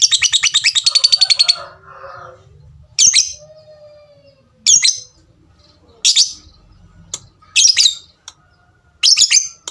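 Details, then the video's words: Lovebird opening with a fast burst of about fifteen sharp ticks, then sharp, harsh high squawks repeated roughly every one and a half seconds, with quiet pauses between. "suara lovebird tik tik tik lanjut ngekek ngekek panjang"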